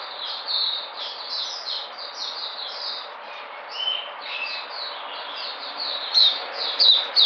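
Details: Recorded 13 Feb 2020: a white-eye that is regaining its energy sings a fast, high, continuous twitter of thin chirps, nearly three a second, rising into a few sharper, louder notes near the end.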